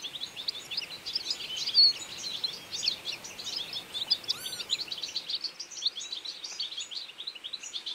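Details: Feeding flock of European goldfinches in autumn: a dense, continuous chatter of high, quick twittering notes overlapping throughout, with a brief louder ringing call near the middle and steady background noise.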